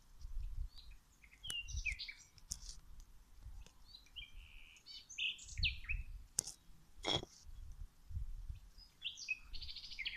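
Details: Wild birds singing outdoors while plants are watered: high bright chirps and short warbled phrases scattered throughout, with splashing water bursts and low rumbling background noise.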